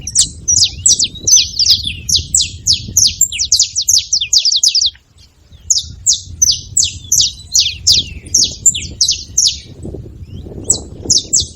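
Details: Saffron finch calling: rapid bursts of sharp, high chirps, often three or four notes clustered together, repeated steadily over the clip with a brief pause near the middle. A low rumble of background noise runs beneath.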